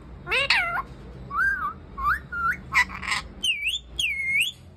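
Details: Parrot sitting in a tree, mixing voice-like talking syllables with clear whistled notes, some wavering and some dipping then rising, in a rapid varied run lasting about five seconds.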